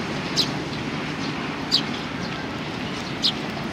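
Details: Eurasian tree sparrows gathering on a bench for food, 3 June 2020. Three sharp, high chirps about one and a half seconds apart, set against constant traffic rumble.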